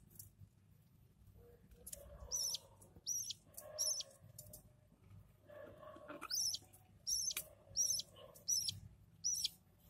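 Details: Lovebird chicks being fed by their parents give rapid, high, scratchy chirps in short bursts about once a second, with softer lower chatter between them.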